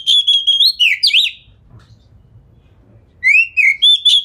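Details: Lure song from a fast-singing kacer, or Oriental magpie-robin, with tail spread to set other birds answering; quick repeated ringing notes and a twisting flourish, a brief quiet gap, then a rising whistle and more pulsed notes.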